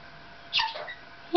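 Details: Maximilian's pionus kept as a pet, chatting and singing with its owner indoors; one brief scratchy, wavering squawk sliding downward, then a quiet room and the start of praise from the owner.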